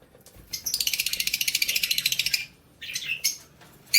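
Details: Lovebirds, recorded 20 February 2024, giving a rapid pulsed chatter of about twenty-five evenly spaced buzzy notes over two seconds, followed by short harsh chirps and a loud final squeak.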